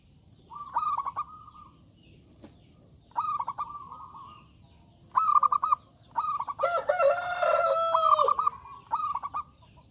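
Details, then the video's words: Zebra dove pouring out loud song that invites rivals to sing back, five or so phrases of quick pulsed coos ending in a sustained note, with a rooster's long crow overlapping near the end. "Suara Burung Perkutut Gacor Suara Besar Mengundang Lawan Bunyi"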